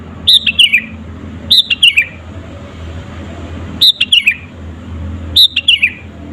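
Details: Lively sooty-headed bulbul used as a lure for rival songbirds: four bubbly phrases of quick, falling liquid notes, repeated every one to two seconds over a steady low hum.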